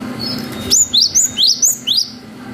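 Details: Cinereous tit in full, lively song, used as a lure to make young tits answer: a long 'wucit' series of six sharp, high whistled notes, each rising steeply then dipping, spaced about a third of a second apart over a low hum.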